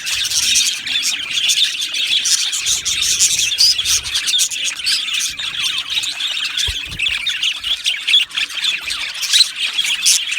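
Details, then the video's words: Budgerigar colony in an aviary, steady overlapping chirps, clicks and squawky notes from many birds, with one clear rising whistle standing out partway through and faint low thuds underneath. "Beautiful Budgies Birds Singing and Chirping Sounds"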